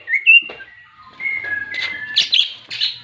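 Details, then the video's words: Greater green leafbird delivering a full 'ngentrok jenggrik' fighting song to rouse other leafbirds: clear drawn-out whistles that step down in pitch, then a burst of high, scratchy chattering notes. "CUCAK IJO TARUNG FULL NGENTROK JENGGRIK DI JAMIN BIKIN EMOSI CUCAK IJO LAIN"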